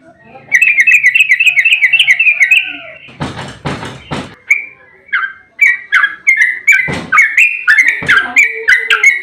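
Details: Sooty-headed bulbul in a long 'ropel' fighting song meant to provoke other birds: a quick trilled run of whistles, a few loud rustling noise bursts, then steady bubbly slurred notes continue.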